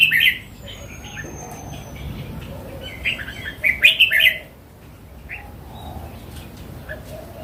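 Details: Wild red-whiskered bulbul from the forest: a brief warbled burst opens, and a thin high whistle drifts past. A longer, louder phrase of about five rippling notes follows, then faint calls over low background noise.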